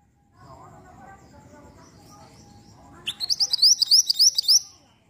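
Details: Mantenan, the black-winged flycatcher-shrike, in a lure song meant to provoke an answer. A quiet low murmur comes first, then a burst of about nine high, rising whistles, evenly repeated, lasting under two seconds.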